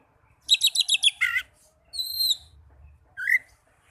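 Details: Young Oriental magpie-robin singing as training therapy: a fast burst of five high chattering notes, a lower buzzy note, then a drawn-out whistle and a short rising chirp, in quiet surroundings.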